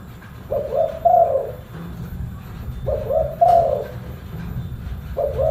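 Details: Spotted dove, a full-bass voiced tekukur, giving low, hollow cooing phrases of several notes, the middle note loudest. Two full phrases are about two seconds apart, with a third starting at the end, over a steady low rumble.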